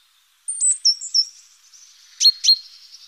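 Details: Great tit calling around its nest box on an active morning, 14 April: a few thin, high, sharp notes, then two quick downward-sweeping notes, over a quiet background.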